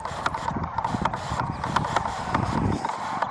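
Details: Many migrating Sandhill Cranes at their main roost, Pixley National Wildlife Refuge, California, on a freezing frosty day, give a dense chorus of clicking, rattling communication calls audible for miles, with rapid pulses over low rumble.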